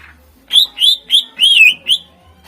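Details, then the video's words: Song of a greater green leafbird, played to lure contest birds. Five loud, clear whistled phrases, each rising and falling, come in quick succession. One longer phrase warbles downward at its end. "Suara Full Cucak Ijo Gacor Ampuh Untk Pancingan Burung Kontes"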